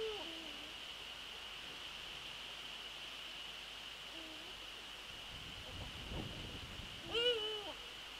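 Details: On 27 December 2013 in the evening a Eurasian eagle-owl visits the nest and calls several times: a low hoot, another about four seconds later, a brief thump, then a loud harmonic wailing call bending downward, beneath a steady electronic tone.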